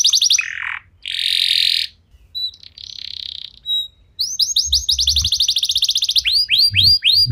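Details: Canary lure song to get other canaries singing: scattered whistles and buzzy bursts with short pauses, then a run of rapid repeated downslurred notes.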